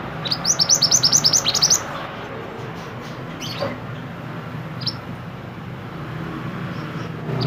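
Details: A Pied Bushchat, a mountain bird used as a song tutor for songbirds, gives a quick run of about ten high, sharp chirps in under two seconds, then a few scattered faint notes over a low background hum.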